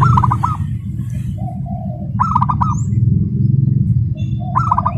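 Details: Local zebra dove, kept as a contest prospect, singing fast dense song compared to a sewing machine; quick rippling coo phrases recur roughly every two seconds, with softer coos between, above a loud constant low hum.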